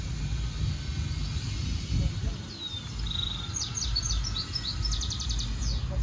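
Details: European goldfinch mule, a hybrid, singing a stimulation song for training: a few thin whistled notes followed by bursts of quick, high twittering trills toward the end, over steady low background rumble.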